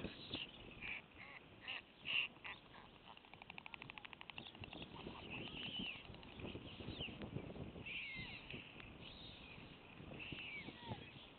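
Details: At a nest in Wilsum around 14:00, hours after the youngest chick was killed and with the dead chick lying among the others, White storks clatter their bills: a fast, dry wooden rattle for about two seconds among harsher squawks.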